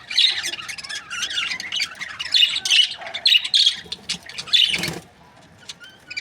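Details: Budgerigar breeding pairs giving bursts of sharp chirps and warbled squeaks in loud clusters, then fading to near quiet after about five seconds, with a few faint notes.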